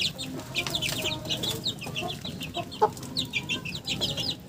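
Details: Chickens making funny sounds: a dense stream of short, high chirping peeps repeated rapidly throughout, over a low steady rumble and scattered sharp clicks.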